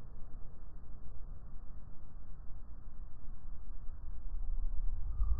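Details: Muffled, fluctuating low rumble with nothing above it and no animal calls.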